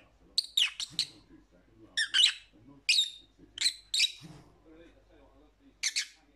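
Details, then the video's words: Shrill lovebird chirps come in short bursts of two or three notes, separated by pauses of about a second, over a soft low background murmur. "Lovebird Sounds for Lonely Parrots"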